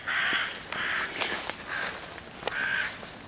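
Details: Loud harsh caws of a hooded crow harassing five young raccoon kits in a tree, 11 June 2023, trying to drive the predators off; three broad rasping calls with scattered knocks and rustles.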